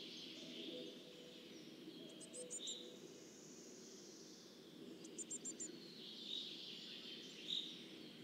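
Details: Coal tit at its nest during fledging in 2024, recorded with a Telinga microphone: two quick bursts of four or five high, thin chipping notes about three seconds apart, softer high calls in between, over a low background hum.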